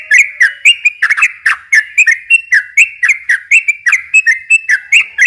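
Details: [3, 'Yellow-vented bulbul singing in long unbroken runs, used to stir young birds into answering: quick repeated whistled slurs, about four a second, bright and chattering, with a faint low tone at the start.']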